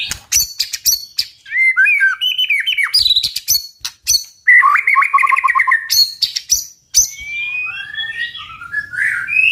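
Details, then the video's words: In very strong tạch-style song used to provoke fights among birds, a white-rumped shama mixes high, sharp chips, twisting whistles and a rapid rattling trill midway, ending with rising whistled phrases. "Chòe lửa tạch cực mạnh để kích chim đấu"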